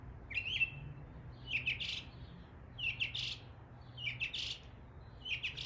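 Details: In East Tennessee a northern mockingbird imitates neighbourhood birds with a repeated harsh, scratchy phrase starting in a short chirp, given roughly every one and a quarter seconds, above a faint low hum.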